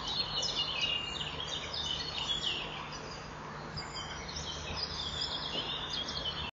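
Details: Common kingfishers at a nest-wall camera, 26 May 2015, 07:41: the female perches in front while the male flies in and out of the nest, then they mate on the front perch. Shrill, high, thin, rapid uneven whistles over outdoor hiss.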